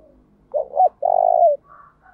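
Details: Decoy spotted dove singing to lure wild doves, switching its song pattern; one phrase of a stuttered, wavering opening and a long evenly pulsed coo, followed by a faint higher soft note.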